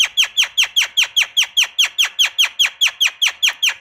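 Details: Javan myna, a female calling males, used as a lure for young birds: a fast, steady series of about sixteen sharp, downward-sweeping squeaky notes, roughly four per second, each one alike.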